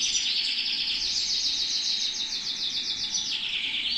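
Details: A canary held in the hand sings a continuous, bright stream of rapid rolling trills and chirps, high-pitched and pulsing about three times a second, with no other sounds.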